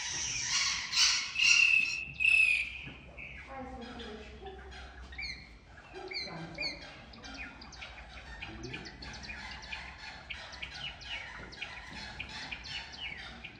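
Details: At Zoo Berlin, a Java sparrow gives a loud burst of high, bell-like chips and a clear whistled note, then softer rapid chattering with faint insect-like buzzing behind.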